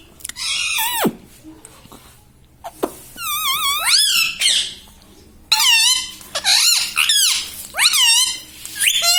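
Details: Pet parrot speaking words such as mummy, papa and radhe radhe in a small room: series of high, squeaky, swooping syllables in repeated phrases, with a downward slide at the start and short pauses between bursts.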